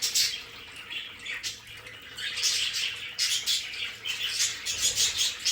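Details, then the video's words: A group of pet budgerigars in a play area keeps up dense, scratchy warbling and thin squeaks, calls overlapping almost without pause; faint low hum beneath. "Sonidos de periquitos Australianos"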